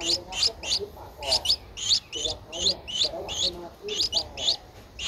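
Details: Streak-eared Bulbul chick aged 12 days, filmed in Ubon Ratchathani, Thailand, 14 April 2023: insistent high, rising chirps, often in quick pairs, repeated throughout with brief gaps, over quiet background noise.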